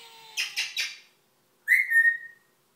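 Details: Parrot imitating the phrase "Oh no!": three quick voiced syllables, then a clear whistle-like tone that rises slightly and slides down, with a person saying "Hey" just after.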